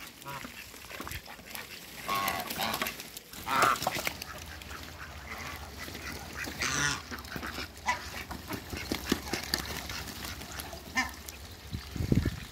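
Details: Backyard run holding two couples of mallard, hybrid mallard and Pekin ducks: scattered harsh quacks and short nasal calls come in uneven bursts, with rustling and a steady low hum behind them.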